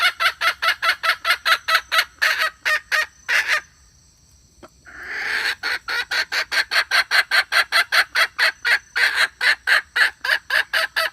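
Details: Red junglefowl hen calling to attract males: a long run of short, harsh, broadband clucks, about three a second, breaking off for over a second of silence midway, then resuming at the same steady pace to the end.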